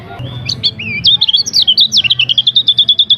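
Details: A lemon-bellied white-eye on a training recording with many song variations sings high, twisting whistled phrases, then breaks into a steady, fast trill of identical short notes to the end, with a low hum underneath.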